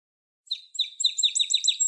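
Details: Song sparrow song fragment: a few sharp, clear high notes lead into a rapid run of repeated bright chips, crisp against total silence.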